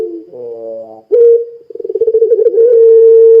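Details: Puter pelung, a Barbary dove, cooing as a lure for other doves. A rough harmonic tone, then a clear upslurred note, a quickening pulsed trill and a steady, flat, drawn-out coo.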